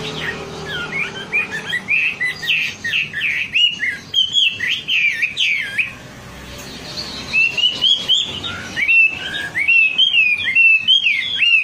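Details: A wambi gives a fast, high, jumbled twittering of squeaky chirps and short whistled notes in bursts, with a brief lull midway. It is used as a lure call to get wambi singing quickly.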